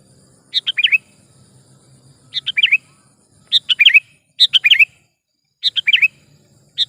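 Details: Sooty-headed bulbul calling energetically, used as a lure call for trapping; short bright phrases of four or five quick chirpy notes, repeated about every one to two seconds with pauses between, over a faint low background hum.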